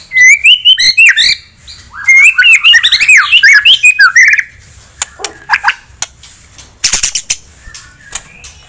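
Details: White-rumped shama song aimed at provoking a rival: a dense stream of looping, rising and falling whistles for about four seconds, followed by scattered sharp clicks and short notes.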